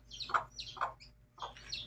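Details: Mother hen and chicks heard in three bursts of high chirping peeps, each paired with a softer, lower clucking note, with brief quiet gaps between.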